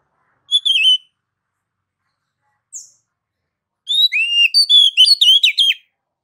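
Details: Oriental magpie-robin (kacer) singing gacor: a brief whistled phrase, near silence, then a dense burst of rising and falling whistles and rapid chirped notes.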